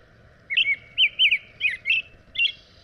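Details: Quick series of looping, liquid whistled phrases from an American robin, five phrases in under two seconds, some doubled, with a faint high chip between.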